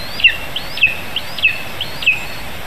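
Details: Lesser spotted eagle at a nest in Zemgale, Latvia, 15 July 2019 around 11 a.m., as a vole is brought to the nestling: thin, high whistled notes, each with a faint rising lead-in, repeated four times about every half second over a steady hiss.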